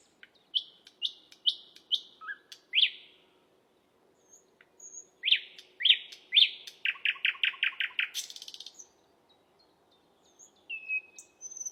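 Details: Lovebird song of sharp descending chirps in short bursts, then a rapid run of about eight clipped notes, a harsh buzzy rasp, and scattered thin whistles in quiet pauses.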